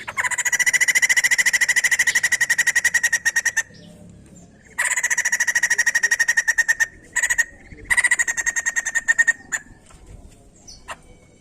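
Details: White-crested laughingthrush singing, used to encourage other birds to sing: long fast trains of buzzy, harmonic pulses, several seconds each, broken by gaps and shorter choppy bursts.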